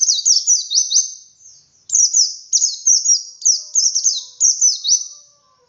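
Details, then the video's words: Near-continuous high white-eye ngalas song, wild bird, meant to prompt captive birds to sing; rapid falling chirps strung into dense phrases with only brief breaks. "Suara Burung Pleci Ngalas Untuk Pancingan Pleci Bahan"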